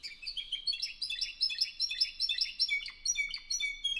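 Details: Spanish Timbrado canary of 2015 from an Albacete singing club in Spain: a lively run of rapid, rising and falling whistled notes with sharp clicks, phrases repeating around 150 times a minute, backdrop silent.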